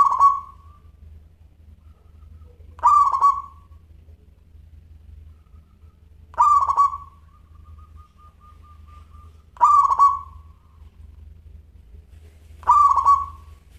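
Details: Local zebra dove singing in a clear 'crystal voice' style, used as training audio: five short cooing phrases about every three seconds, each a bright burst followed by a quick stuttering trill and a fading tail, over a steady low hum.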